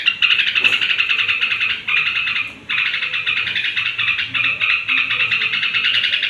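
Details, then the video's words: Straw-headed bulbul at bedtime, song used to stir up rival bulbuls: a sustained, rich, gurgling stream of warbled notes with two short breaks. "suara trucuk menjelang tidur ampuh naikkan emosi trucuk lain"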